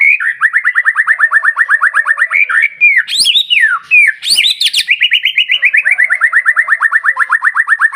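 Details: Intense white-rumped shama song used to stimulate other shamas: a long, fast run of evenly repeated short downslurred notes, several per second, broken midway by loud harsh bursts and sweeping whistles.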